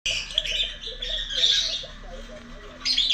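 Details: A pet lovebird calling while looking for its companions: continuous harsh, high chattering squawks, with a louder burst near the end.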